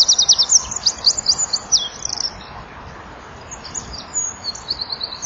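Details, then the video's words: At 17:33 on a January evening, a Eurasian wren sits in front of a nest-wall camera and sings energetically with beating wings. A loud, dense, very high trill runs for two seconds, followed by softer, shorter trills. "WK zingt voor zit er ook een achter"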